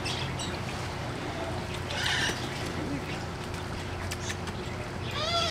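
A macaw gives a harsh, raspy squawk midway, then a short nasal, rising screech at the end, over low room hum and faint background noise.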